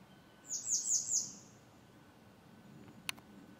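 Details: A grey wagtail at Močilnik, Vrhnika, Slovenia, on 27 June 2023 gives four sharp, very high metallic 'tzit' notes in a quick burst, then a single faint click against quiet background hiss.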